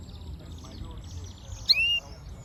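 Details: Yellow-fronted canary (Serinus mozambicus) chirping: a soft, fast trill first, then a sudden loud note that sweeps down sharply and runs into a short, level, clear whistle.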